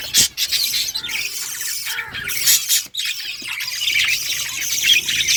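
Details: Budgies sing a continuous high chattering warble with squeaky squawks and a couple of sudden short silences.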